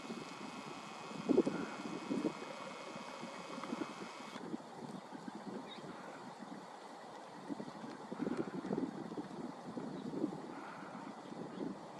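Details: Wind buffeting and low rustling or handling thumps, with no clear animal voices.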